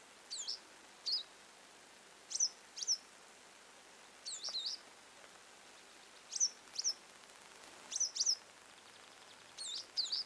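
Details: Western yellow wagtails (Motacilla flava) chirping: thin, high, slurred chirps, often paired, every second or two over a soft background hiss.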